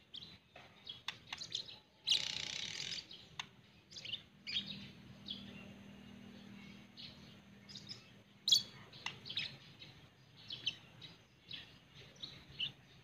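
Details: A pet white-rumped shama sings scattered high, sharp chirps and short phrases spread through the clip, interrupted by a loud, rushing noise burst near the start and a steady low hum.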